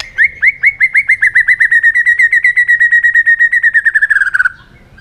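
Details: White-rumped shama in heated competitive singing, a rapid run of about thirty-five bright, slightly down-slurred whistled notes near one pitch, delivered in a steady fast trill for over four seconds before stopping.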